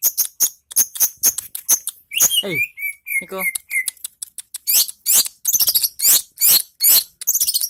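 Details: Indonesian long-tailed shrike producing crisp repeated high ticks, a brief harsh nasal phrase with sliding whistles around two to four seconds, then more rapid ticking to the end.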